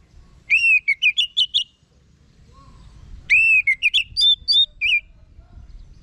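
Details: Two orange-headed thrush phrases, each a clear falling whistle followed by a string of short rising staccato notes.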